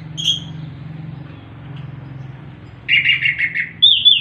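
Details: Orange-headed thrush (anis kembang) in relaxed ngeplong ngerol song: one short whistled note, a pause over low hum, then a quick run of five or six bright chattering notes and a final high, clear whistle.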